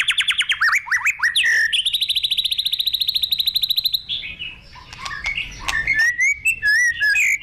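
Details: White-rumped shama singing a varied, loud song: sharp descending whistles, then a long fast buzzy trill repeated many times, followed by rich warbled and slurred whistled phrases.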